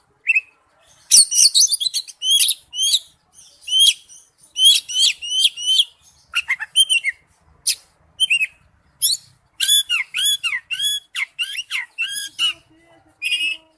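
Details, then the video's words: Long, inventive passage of Oriental magpie-robin song in the wild-type forest style: rapid whistled phrases and chattering runs, then many repeated curling, down-slurred whistles delivered in quick succession. "Chim chích chòe than hót giọng rừng"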